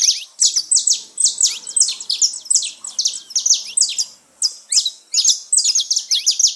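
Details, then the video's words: Free saffron finch (canário-da-terra) singing in nature: continuous, busy stream of bright, high chirps and downslurred notes with one brief pause midway. "festa dos canário da terra livre na natureza"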